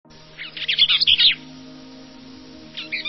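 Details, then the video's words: A bee-eater gives a quick run of bright, rolling chirps, then a second short burst after a pause, over a steady low hum. "Bee Eater Sounds"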